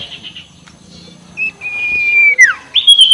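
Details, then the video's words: Sirtu ngekek call used to provoke rivals: a quiet start, then a single long steady whistle that slides down steeply, followed by a brief higher whistled note. "SUARA NGEKEK SIRTU BIKIN LAWAN EMOSI || PANCINGAN SUARA BURUNG SIRTU"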